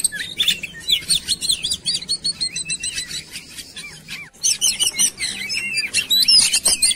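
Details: Oriental magpie-robin singing in a lure compilation meant to spur birds into lively song; busy high chirps and whistled slurs, a short break past four seconds, then a fresh burst of rapid, varied notes.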